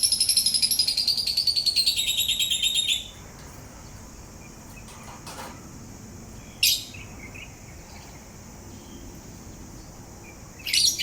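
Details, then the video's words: Parrot singing and grinding its beak: a three-second burst of rapid, high, rattling chirps, then quiet with two short sharp squeaky notes after a long gap. "Parrot grinding teeth and singing"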